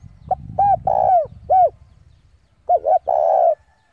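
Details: Decoy spotted dove challenging rivals to come and fight: a coo phrase of arched notes and a long coo over low rumble, then a second phrase of two quick notes ending in a long steady coo.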